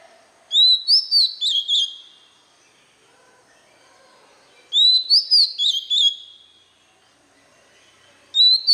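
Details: White-rumped shama singing to teach young birds: two matching whistled phrases about four seconds apart, each a rising note followed by quick varied notes, and the start of a third at the end.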